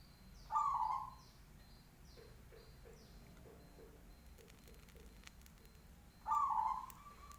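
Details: Local big-voiced zebra dove: two deep, rounded coos some six seconds apart; between them a run of soft short chirps and faint high downslurred whistles from other birds, plus low hum.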